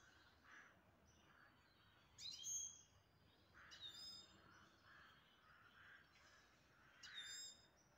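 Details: Pet grey-headed goldfinch in the city of Istaravshan: three short bursts of bright, high twittering notes, a few seconds apart, over a soft rustling background hiss.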